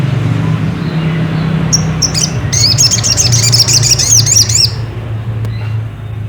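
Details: Ruby-cheeked sunbird lure song meant to excite another bird into singing: a couple of thin high notes, then about two seconds of quick, rising-and-falling twittering chirps, over a persistent low engine-like drone.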